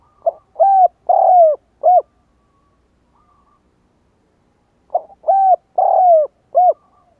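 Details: Spotted dove calling to lure wild doves. Two phrases of soft, low, hooting coos, each made of four notes with the third one longest and slurring downward, separated by about three seconds of silence.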